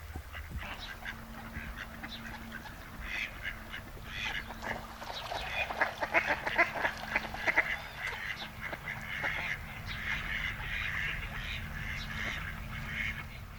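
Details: Mallards in breeding season, two males courting a female at the Malecón de San Lázaro, Noia, Ría de Noia, give soft, irregular quacking and nasal calls in loose bursts against a steady background hum.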